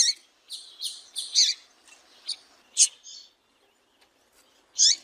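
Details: Female double-collared seedeater calling: short, sharp, high chirps in uneven bursts, some clustered in quick doublets and triplets, with a pause near the end before a final louder chirp; no other sounds.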